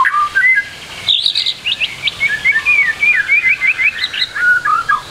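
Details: White-rumped shama, varied song played to coax young birds into singing quickly: slurred rising and falling whistles, a burst of high notes, and a chain of quick downslurred phrases.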